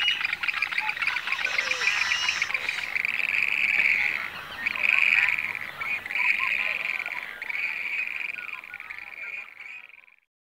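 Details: Western grebe giving shrill, grating two-part calls, repeated in a rapid overlapping series at high pitch, with a faint background of other birds.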